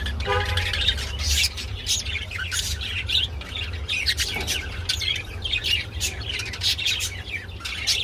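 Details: Budgerigar chatter while mating: quick broken chirps, clicks and squeaky notes tumbling one after another, a few harmonic squeaks near the start, steady low hum beneath.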